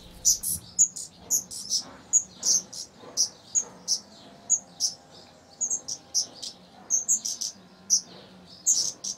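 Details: Tree pipit breeding on a terrace in summer 2016, where four young fledged; a long, continuous run of high, sharp chirps repeated roughly every half second, uneven in spacing, with a faint low hum underneath.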